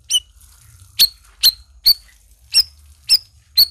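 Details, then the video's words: Black-crested bulbul (cucak rawis) singing actively: sharp, high, clipped chip notes with a slight downward slur, given singly at uneven gaps of about half a second over a quiet background. "SUARA CUCAK RAWIS GACOR"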